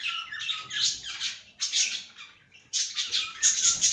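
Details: Cockatiel in a cage calling in three loud bursts of grating, high squawks separated by brief quiet spells, indoors.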